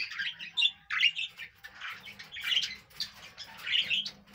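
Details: Budgie parrot chirping in a soft, quick warble of chattering notes with a few brighter squeaks, coming in short bursts with slight pauses, quietly recorded.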